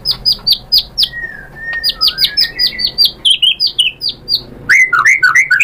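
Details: White-rumped shama lure song: a steady series of high, sharp downslurred notes, a few drawn-out lower whistles, then quicker lower slurred notes at the end.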